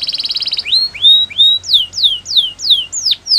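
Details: Canary song opening with a fast buzzy trill, followed by slurred rising whistles and then a series of clear downward-sweeping notes, about three per second.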